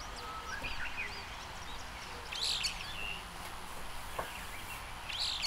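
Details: Window recording of a brown-eared bulbul (Hypsipetes amaurotis) with a parabolic microphone: scattered short chirps, then harsh squealing bursts about three seconds apart, over low steady background noise.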